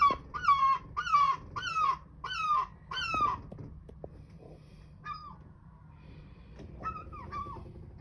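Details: Angry seagull at a houseboat door in Brighton Marina, begging for food, uttering six strong, nasal, falling yelps in quick succession, then a pause before two weaker calls near the end.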